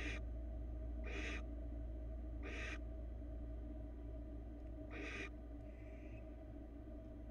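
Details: Male barn owl bringing a rabbit to his mate on a Florida nest camera; four long rasping hisses spaced about a second apart, then quieter, with a steady electrical hum beneath.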